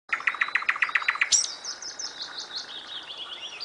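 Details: Nightingale singing: a run of about eight loud, evenly spaced notes, then a sudden switch to a high, thin, fast trill that fades slowly.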